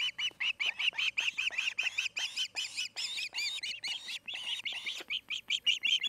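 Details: Nesting osprey pair at Charlo, Montana, on the afternoon of 8 August 2018, caught by a nest camera. Loud, rapid chirping runs for six seconds: shrill, slightly downslurred notes, several per second, with one brief pause midway.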